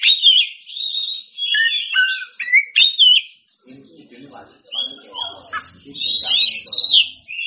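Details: Oriental magpie-robin singing ngeplong-style to challenge rivals, with varied loud whistles and slurred notes at first, then a softer, muddier passage of low chatter before bright whistled phrases return.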